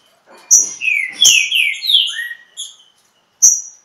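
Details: Green-winged saltator in Pedra Azul, Brazil, in a singing dispute with a free bird: a bright downslurred whistled phrase of several slurred notes around the middle, framed by sharp high chips.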